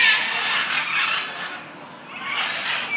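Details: Macaws at Safari World, Bangkok, give loud, harsh, raspy squawks in long grating bursts, easing off briefly near the two-second mark before rising again.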